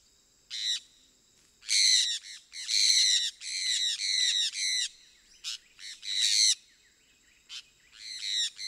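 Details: Harsh, grating screeches from sun conures, the small orange-and-yellow parrot of South America, given in long raspy bursts with short pauses between them, over a thin constant high tone.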